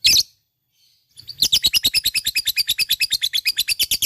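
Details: Lovebird of a fighter type in full ngekek, its long chattering song: a brief sharp note, a second of silence, then a fast run of shrill, evenly repeated harsh chips, about three per second-fraction, continuing to the end.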